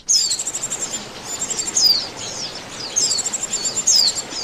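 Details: Lure recording of Oriental white-eyes for bird trapping: shrill pulsed twittering with thin downward-slurred whistles repeating about every second, many voices chattering together against low background hiss.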